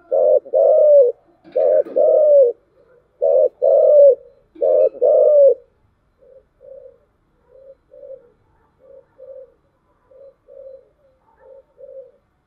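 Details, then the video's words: Spotted dove, 'thổ chiêu gù' voice: four loud, deep two-part coos in quick succession, then a run of about eight soft, short, muffled notes evenly spaced at roughly one per second. "cu gáy/ cu gáy giọng thổ chiêu gù"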